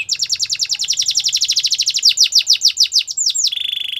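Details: Belgian canary singing each morning: a rapid rolling trill of high notes slowing into broader downslurred whistles, ending in a lower steady buzzy tone.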